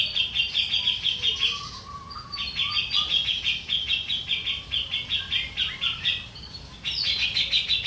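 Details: Grey-cheeked bulbul in a master recording for training birds: rapid runs of sharp, even chattering notes, about four a second, broken by a short pause and then resumed, with a few lower whistled notes in between.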